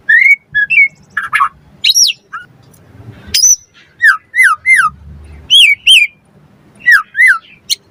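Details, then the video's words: White-rumped shama singing to provoke other birds: separate loud phrases of clear whistled notes with up-and-down slurs, some sharp high chips, spaced by short silences. "Pancingan Murai Batu Langsung Nyaut Auto Bunyi Cpt Gacor Full Isian Buat Masteran Suara Burung Murai"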